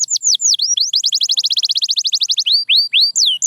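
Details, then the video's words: Canary singing for quiet-canary training: looping whistled notes, a quick even trill of about twenty notes, then rising and falling sweeping whistles. "The Secret Sound That Brings Back Any Quiet Canary"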